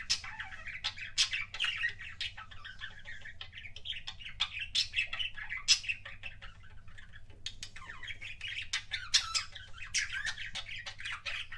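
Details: Budgerigar kept as a pet, producing kissing sounds as a long run of sharp clicks and scratchy chirps mixed with soft warbling, with a brief pause near the middle, over a constant low hum.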